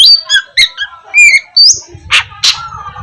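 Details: Oriental magpie-robin singing as a morning lure for lazy birds: a few clear whistled and warbled notes, then two harsh rasping bursts over a faint low hum.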